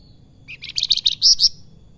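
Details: Brief salakan phrase from an actively singing bird: a quick series of high chirped notes that grow louder and end in two sharp, emphatic whistles within about a second.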